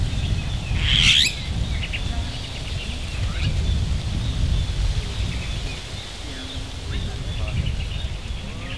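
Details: A Bali myna near a breeding centre in Bali Barat National Park, where three or four free-flying birds were seen, gives one loud, harsh, rasping screech, then scattered faint chattering notes over a low rumble.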